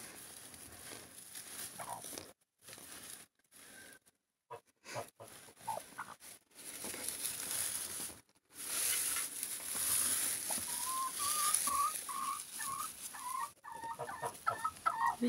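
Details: Broody hens in an old shed in Siberia, just given fourteen eggs to sit on, give low repeated clucks and short tonal notes over rustling straw on a fine thawing day after snow, with a woman speaking softly.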